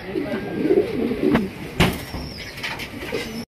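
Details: A big, shiny black male Bombay pigeon, described as calling intensely while turning round and round, gives deep, rolling coos in quick repeated bursts, with a man talking over them.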